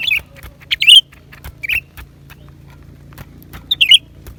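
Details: Lesser green leafbird song of brief twisting whistles and sharp chirps, spaced about a second apart, with a faint low hum and soft ticking sounds behind.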